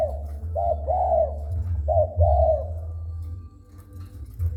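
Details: Spotted dove singing as someone approaches it: two phrases of a short coo followed by a longer arched coo in quick succession, then quieter, over a constant low rumble.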